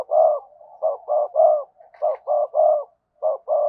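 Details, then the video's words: Spotted dove decoy cooing to lure wild doves: a quick run of about ten rounded, hollow coo notes in small bunches, with a brief higher chirp in the middle. "Chim Cu Mồi Gáy Gọi/ cu gay kich boi nhanh noi gù"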